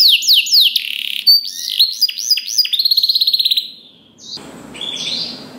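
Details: Canary singing, a recording meant to prompt other canaries to answer: a series of downslurred whistles, then upswept chirps and a quick rattling trill, followed by fainter notes over background hiss.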